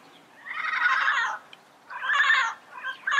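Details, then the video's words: Wild yellow-headed parrots in their natural habitat: two long, harsh, rasping squawks about a second each, separated by a short pause, then a briefer third call. "Yellow-Headed Parrot Sounds - Natural Bird Calls and Songs in the Wild"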